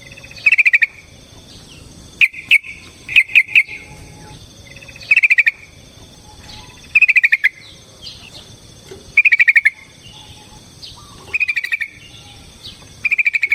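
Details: Yellow-vented bulbul in a long fighting song used as a lure for another bird: brief clusters of rapid chirps recur every one to two seconds over a steady, faint background hiss.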